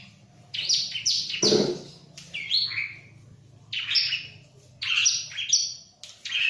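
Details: Ciblek (bar-winged prinia) singing vigorously, said to be unbothered by a myna: bright, chirpy bursts of rapid notes about a second long, separated by short pauses, with a faint low hum underneath.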